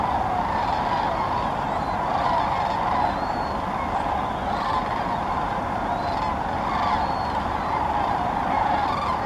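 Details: Sandhill cranes massing in big flocks at an Indiana wildlife refuge, Muscatatuck; a thick, constant chorus of rattling, trumpet-like calls, loudest bursts surging near the start and end, with scattered sharper individual cries on top.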